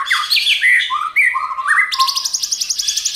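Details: White-rumped shama multi-voiced song for stimulating other shamas to sing: fluid falling and rising whistles, then a fast run of rapidly repeated high ticking notes.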